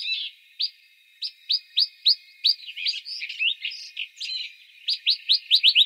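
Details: Western rock nuthatch recorded in İzmir, Türkiye in March 2020: rising whistled notes repeated rapidly, interrupted midway by a tangled burst of chattering, twisting notes, then resuming as a quickening run of loud upslurs.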